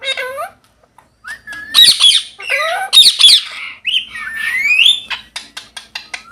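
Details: Several parrots playing in a field on an autumn afternoon give harsh, rising and falling squawks and whistled calls, some overlapping, ending in a run of short rapid notes.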